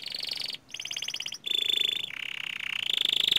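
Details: Young canary singing a loud, full song: rapid buzzy trills near the top of its range, a short break, then fast repeated chirps and a long rolling trill that rises at the end.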